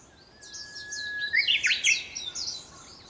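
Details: Japanese bush warbler singing at sunrise on 4 May 2021, early morning: a long steady whistle of over a second, then a quick burst of rising and falling notes, with high twittering from other birds throughout.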